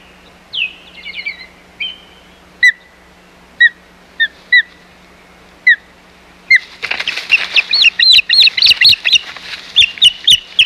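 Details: Ospreys fighting over the Hog Island nest on 4 May 2020: a wavering whistled call, then single sharp chirps about once a second, breaking into a rapid excited chatter of clipped whistles with wing-flapping and scuffling noise.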